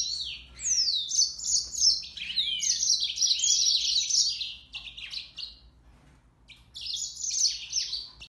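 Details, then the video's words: Mozambique serin singing: a fast, bright, high-pitched warble of sweeping twittering phrases, a pause near the end, then a final burst of twitters; faint low hum underneath. "طائر الياسمين الموزمبيقي serin mozambique"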